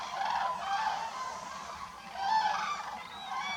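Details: A flock of common cranes at a French wintering site in autumn, as families regroup at dusk to return to their roost, gives loud, rolling, trumpeting calls that overlap, swelling in two bursts about two seconds apart.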